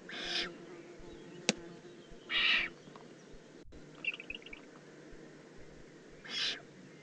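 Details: Juvenile Eurasian eagle-owl, Eifel, Germany, 18 June 2016, uttering three harsh hissing calls, with a sharp click and a faint twittering chirp from a small bird between them.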